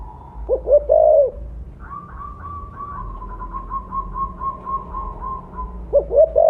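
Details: Loud-voiced mottled 'blorok' spotted dove calling as a lure: a short burst of deep, rounded coos, then a long thin whistled trill from another bird, and a final group of coos at the end.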